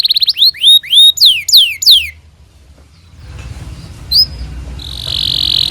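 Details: Canary song used as a training recording for young canaries: about two seconds of rapid, high whistled notes sweeping downward, repeated several times, then a hissing noisy stretch with one brief high whistle and a steady high tone at the end.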